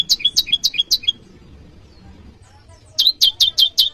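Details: Calls of the prenjak lumut (bar-winged prinia) for summoning rivals, used as lure and master audio: a burst of five quick shrill chirps, nearly two seconds of quiet, then five more.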